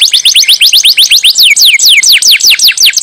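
A canary sings loudly in rapid, repeated descending whistled sweeps, several each second, bright and high-pitched with a slightly buzzy edge.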